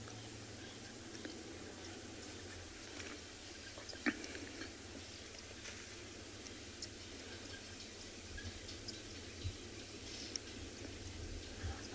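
Steady low hiss and hum with a few faint clicks and taps, and no clear animal call.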